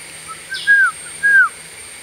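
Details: Blue-winged pitta calling with two loud, clear whistled notes that slur downward, spaced about half a second apart, preceded by softer notes, against light background noise.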